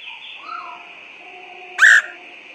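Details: Woodpecker call played as a lure for trapping birds: after faint quiet notes, one sharp, loud, harsh note rings out near the end over a steady high electronic-sounding hum.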